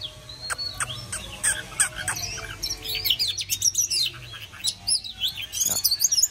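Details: Oriental magpie-robin in full song to welcome summer: sharp repeated chips at first, then a tumbling mix of whistled slides, twittering trills and scratchy notes, loud and steady throughout.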